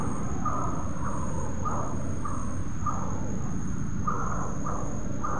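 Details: A coppersmith barbet at Bukit Batok nature park, recorded 7.51 am on 30 July 2022, gives a steady series of soft hollow notes about every 0.6 seconds, with strong low-pitched ambient noise throughout.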